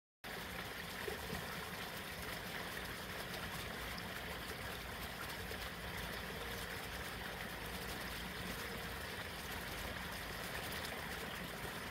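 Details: A continuous broadband rush of flowing water fills the recording, possibly mixed with a distant engine. No birdsong or other animal calls stand out.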